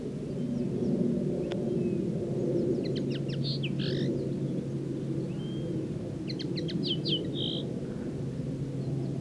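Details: Common linnet singing in two short twittering bursts of quick stacked notes ending in a brief whistle, separated by a pause, against constant low rumbling background noise.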